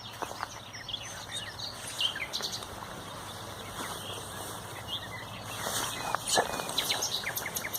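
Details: Common nightingale singing on 30 April 2021, sharp clicking and chattering notes repeated rapidly in a loud burst near the end, over a busy background of other small birds chirping and faint rural noise.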